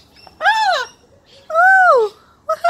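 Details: Blue-and-gold macaw talking and laughing while playing with its owner; two drawn-out, harmonic-rich vocal notes that rise then fall, each about half a second, separated by a pause, with a short burst starting at the end.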